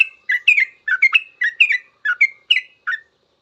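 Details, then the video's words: Sooty-headed bulbul in full ropel song, a master recording for teaching trucukan to sing. About ten quick, liquid, slurred notes run in rapid succession, some doubled, bright and chirpy, with nothing else audible. "Suara trucukan full ropel panjang"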